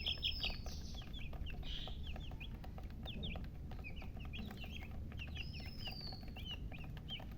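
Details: Flock of chicken chicks peeping steadily, repeated quick falling chirps with a few extended whistles and a constant low hum.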